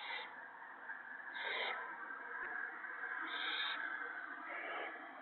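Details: Owlets at the nest on the night of March 28, 2017, as gophers are brought and eaten. Rasping, high-pitched hisses come in four bursts, each under half a second, over a steady droning background.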